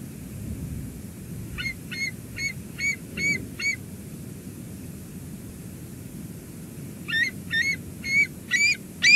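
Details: Wild bald eagles at their Two Harbors nest during a food delivery to the eaglet, July 2022. Two runs of about six rapid, clipped, squeaky notes, evenly spaced and high-pitched, separated by several seconds of quiet outdoor ambience.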